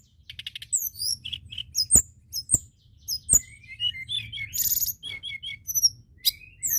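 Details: White-browed shortwing singing energetically, used to stimulate other birds to sing: rapid jumbled high squeaky and whistled notes, short trills and a buzzy burst, fairly continuous, with occasional sharp clicks.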